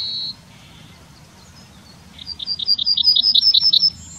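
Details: Yellowhammer singing in the town of Wittlich in 2019: after the tail of a drawn-out high note, a fast run of about fourteen short, high repeated notes follows, then a higher note begins.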